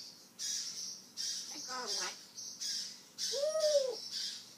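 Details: Talking African grey parrot, a pet showing some of its mimicked vocabulary: two short, voiced, word-like utterances with wavering pitch, over a steady background of regular high hissy ticks.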